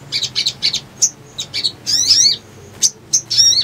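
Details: Little spiderhunter lure song for trapping: short high chips, then louder sweeping squeaky notes and scattered sharp whistles, irregularly spaced, over a faint low hum.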